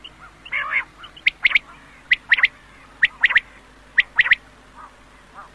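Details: Quail from a 2007 recording meant for night: a few softer low notes at first, then crisp high chirps in paired and tripled bursts roughly every second, with a low background hum.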